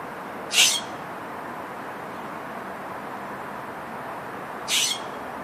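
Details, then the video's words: Scrub jay calling in the morning: two short, harsh, raspy bursts about four seconds apart over a steady background hiss. "Scrub Jay morning greeting"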